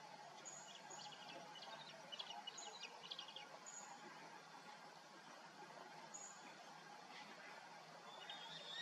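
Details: Eaglet churbling to its parent on July 19, 2018, at 19:18: soft, rapid chittering chirps in loose clusters run throughout, with thin high whistled notes recurring above them against a steady hiss of background noise.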